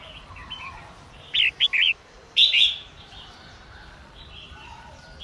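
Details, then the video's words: A female red-whiskered bulbul sings to encourage males to sing. Quiet spell, then three clipped chirps followed by one rich warbled phrase, and quiet again afterward. "chào mào mái hót kích trống căng lửa"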